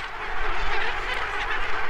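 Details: A huge Cape gannet nesting colony of about 50,000 birds on a rocky Atlantic island at sunset gives a dense, unbroken roar of countless harsh, overlapping calls, no single voice standing out, over a low rumble of wind.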